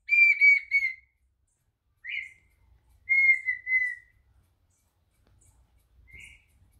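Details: Clear whistled song of a red-winged tinamou (Brazilian partridge): a long ringing note, a short rising slur, then a steady falling whistle, repeated in phrases with pauses between, and a faint final note.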